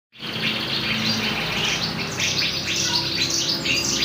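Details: Young canary learning to sing, giving a continuous run of rapid high trills and twittering notes with fast repeated chirps, steady and fairly loud throughout, over faint background hum.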